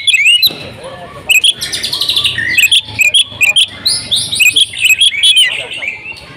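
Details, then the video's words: Home-kept female oriental magpie-robin in full, insistent song with imitated phrases: a lively stream of sharp chirps, high whistles and buzzy ringing notes, broken by brief pauses, with a faint low rumble beneath. "KACER RUMAHAN IKUT GACOR BONGKAR ISIAN SERTA NGOTOT || KACER BETINA"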